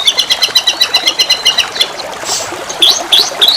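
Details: White-rumped shama song used as a lure for other birds: a rapid run of bright, evenly spaced repeated notes, about four a second, then a pause and sharp rising whistles, all over a continuous rush of flowing water.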